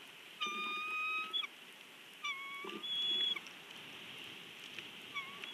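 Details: Bald eagle, the nest owner, at its nest at Big Bear, giving a few thin, high whistled calls, each held briefly and slightly sliding, separated by quiet gaps over a soft hiss.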